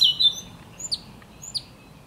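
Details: Thrush nightingale song on 8 May 2022: a high, drawn-out whistle followed by two sharp, high chirps about half a second apart, with a faint low background hum.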